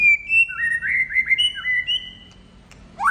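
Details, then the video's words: Male white-rumped shama in full song: a run of clear whistled notes sliding up and down and linked into a flowing phrase, with a quieter stretch and a rising note at the end; low background hum. "Murai gacor ngetrek bikin lawan emosi"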